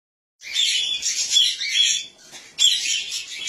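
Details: Cockatiels mating for the first time, giving harsh, buzzy, high-pitched squawking chatter in two loud bursts separated by a brief quieter gap.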